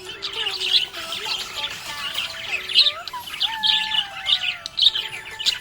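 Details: Budgie chirping contentedly: chattering warbles mixed with harsher squawky notes and gliding whistles, soft background music beneath.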